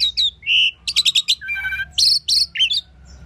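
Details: Asian pied starling singing loudly up close: a quick medley of bright chirps, a sustained whistled note, a rapid volley of harsh rasping bursts, a low buzzy warble and more scratchy chirps.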